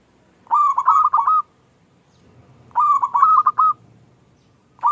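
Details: Small 'klung' song of a local zebra dove, played to stir silent doves into replying. Two separate phrases of rapid, bubbling coo notes are set apart by quiet, and a third begins at the very end.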